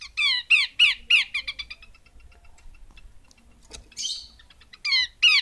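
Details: Rapid, harsh descending notes from a female Horsfield's babbler, loud at first then trailing into softer ticks, a noisy rasp, then renewed strong calls.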